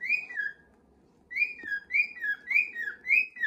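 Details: Pet cockatiels indoors, a young male trying to join the others' parading march; bright whistled two-part notes, each rising then dropping, repeated in a quick series after a short pause.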